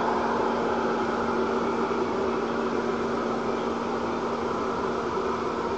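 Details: Continuous idling-engine rumble and hiss at a constant level, with a faint steady tone throughout and no animal voice.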